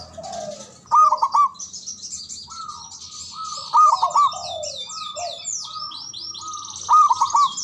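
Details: Javanese local zebra dove singing loudly to call rivals into replying. Stuttering coo phrases return every three seconds with softer drawn coos between them, while many other small birds chatter and twitter busily high above.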